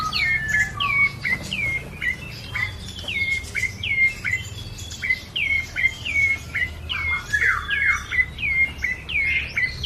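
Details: Lively caged bar-winged prinia repeating quick downslurred chirps with upward flicks, well over one per second, with a faint hum in the background.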